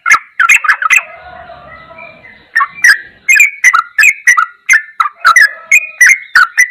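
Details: Sooty-headed bulbul in a masteran tutoring recording of the ropelan goklikan style: bursts of chattering, clicky notes with bright whistled tones, briefly interrupted by a quieter pause of soft lower sounds before the rapid phrases resume.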